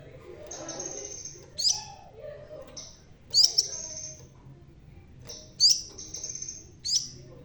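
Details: A bald, red-tailed crimson sunbird sings eagerly, giving scattered high, sharp chips that slide into thin buzzy whines. These come about every one to two seconds, with a soft low murmur in the background.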